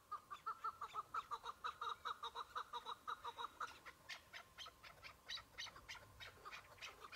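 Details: A single Chukar partridge, experienced and not very excited early in the season, calls over spring snow patches: a steady string of mid-pitched chuck notes for about four seconds, then sharper, scratchier rattling notes.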